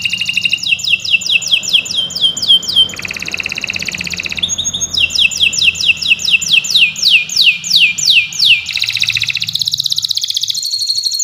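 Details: Canary of the Kenari Nusantara type delivering non-stop training song for birds that won't sing: rapid repeated downslurred notes about four per second, interspersed with buzzy rattles and high trills, with faint low background hum.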